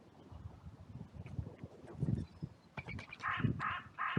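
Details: Crows in a sunny cemetery, a massive outcry after two crows fought briefly and others rushed in from all directions; three harsh caws close together in the last second and a half, after low thumping and rustling sounds.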